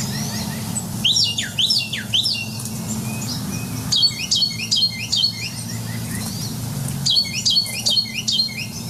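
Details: Carolina wren (Thryothorus ludovicianus) song, a bird heard far more often than seen: loud, ringing bursts of quickly repeated rolling phrases in the classic "tea-kettle, tea-kettle" pattern, over a low steady hum.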